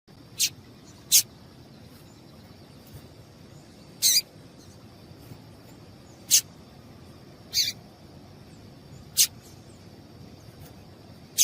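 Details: Female Double-collared seedeater call, played to make males sing: short, sharp, very high chips spaced irregularly, about seven clear notes across eleven seconds, over a faint steady high-pitched whine.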